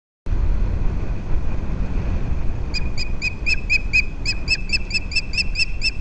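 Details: Osprey on a nest camera at Captiva Island, Florida, USA, January 19, 2023: a series of short, high, evenly spaced chirps, several per second, over strong low rumbling wind noise.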